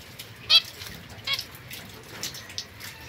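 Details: Young zebra finch pair in a cage, white female and mosaic male separated from other birds, September 2024: one sharp nasal beep, a softer second call under a second later, then light clicks.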